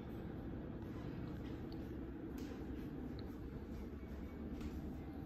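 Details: Continuous deep mechanical drone, train-like and unbroken, with a few soft knocks and no calls from any animal.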